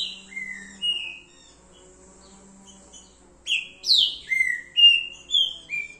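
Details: Trinca-ferro verdadeiro, the green-winged saltator: after a few soft whistles and a quiet stretch, a loud burst of clear, downward-sliding whistled notes follows in quick succession.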